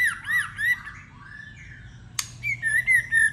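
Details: White-rumped shama in a singing contest: looping whistled notes, then a quiet pause, a sharp click and a fresh run of bright, slightly falling whistles, steady low hum behind.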